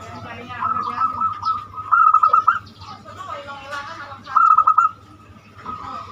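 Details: Banyumili-style zebra dove (perkutut) song used to lure other birds into singing. Two clear bursts of rapid staccato coo notes about two seconds apart, with softer cooing and faint murmuring between them.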